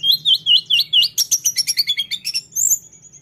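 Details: Lesser shortwing in rolling ngeroll song: a fast, even run of high, wavering whistled notes, several per second, accelerating into a dense jumbled trill and ending on a long thin whistle.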